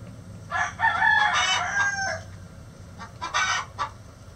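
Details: Chicken egg song: a long, loud, rasping cackle over the first two seconds, followed by a few short clucks and another squawk, with a faint background drone.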